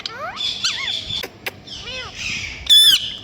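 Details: Pet parrot, possibly a ringneck, talking and imitating a cat's meow: curved, harmonic rising-and-falling calls mixed with sharp squawks and a loud shrill burst near the end, over steady high-pitched background hiss.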